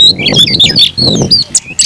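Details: Brief burst of Oriental magpie-robin fighting song from a caged kacer: a few clear whistled slurs and chirps, with muffled low background noise beneath.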